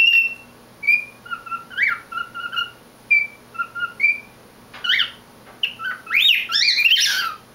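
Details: Singing to himself, a male cockatiel kept as a pet gives steady whistled notes and slurs, then ends with harsher chirping squawks that climb and fall rapidly.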